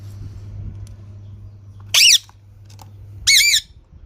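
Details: Green parrot giving two loud, harsh, wavering squawks about a second apart, separated by quiet stretches with a faint low hum.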